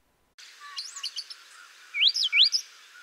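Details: Brown Thrasher singing in spring in a central or eastern US backyard: rich, varied, melodic mockingbird-like phrases, likened to drop-it drop-it, cover-it-up, then a bright rising note sung twice in quick succession. The background is quiet.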